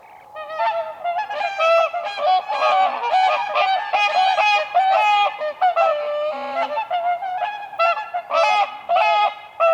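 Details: Flock of whooper swans dancing on ice on a spring lake, calling almost without pause: overlapping trumpeting honks, nasal and richly harmonic, about two per second, several birds at once.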